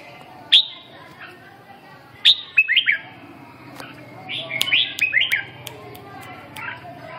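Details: Red-whiskered bulbul, described in Vietnamese fancier terms as "mí đỏ" and "siêu ché", giving sparse clear whistled phrases with pauses between bursts. Sharp clicking knocks are scattered through it over a low background hum.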